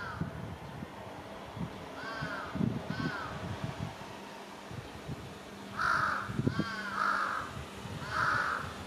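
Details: Noisy large-billed crow on a utility pole in a residential area, 1 July 2023: softer caws early, then three louder, harsh caws near the end, with low rumbling background sounds throughout.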